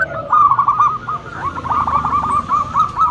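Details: Strong, loud singing from a local lure zebra dove, fast trilled coos rising and falling in two short bursts with a softer low note at the start.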